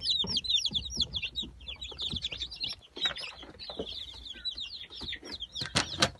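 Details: Newly hatched Brahma chickens, final hatch of the 2018 season in October, many chicks peeping together in piercing, quick, falling cheeps that crowd over one another, punctuated by sharp clicks and soft handling bumps.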